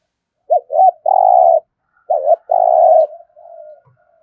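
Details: Spotted dove singing thúc gù coos: two looping short notes lead into a long buzzy coo, then a second phrase repeats the pattern, trailing off into a soft, fading murmur.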